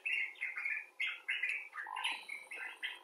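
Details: Common bulbul talking, from rescued and wild individuals: a series of clear, slurred whistled notes repeated in quick succession, some rising and some dipping, with a lower note near the end.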